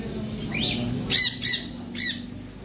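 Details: Blue macaw, said to be native to Africa, giving short harsh squawks with stacked harmonics: a faint one, then three louder bursts close together, over a steady low background hum.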